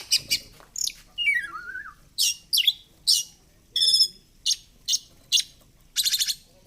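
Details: Oriental magpie-robin, a chatty fighter-type bird, played as therapy for magpie-robins that rarely sing: a varied burst of sharp high chirps and rapid chattering notes, with a long whistle sliding down in steps in the middle.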